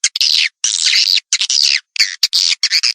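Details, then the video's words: Swiftlet calls used to attract swiftlets: dry, buzzy chattering bursts, some long and some short, broken by brief silences, with no other sounds. "suara panggil walet"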